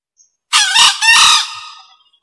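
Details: Used to lure birds, a male green junglefowl crows once: a grating first syllable, a short break, then a longer hoarse, buzzy syllable that slowly fades. The background is quiet.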